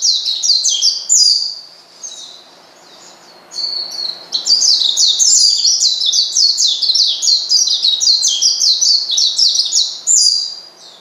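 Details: High, hurried twittering of an Oriental white-eye calling a rival to rile it up, with short chirps at first, then a long unbroken run of quick sliding notes.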